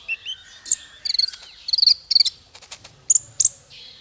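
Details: Bird song played as a master for small fighter birds: clusters of high, buzzy, rattling chirps and thin whistles in short bursts separated by brief gaps.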